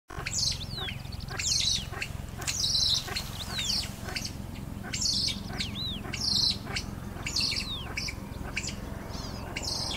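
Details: A Kalij pheasant in the Himalaya gives an alarm call while a barking deer moves cautiously nearby: sharp, high chirping notes, roughly one burst per second, over a steady low rumbling background.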